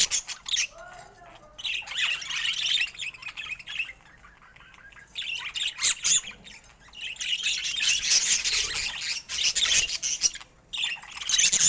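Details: Budgerigar chatter: rapid, harsh squawks and chirps repeated about four times a second, loud at the start, dropping to a quieter lull, then rising again into dense scratchy warbling.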